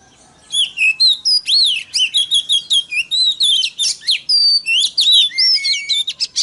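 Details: White-rumped shama song for provoking other shamas, a long energetic stream of varied whistles, upward and downward slurs and crisp notes, ending in clear drawn-out whistles.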